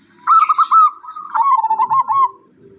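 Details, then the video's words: Zebra dove singing: a trilled, warbling coo near one pitch, two phrases separated by a brief break, the second dipping slightly lower, then quiet. "kicauan perkutut"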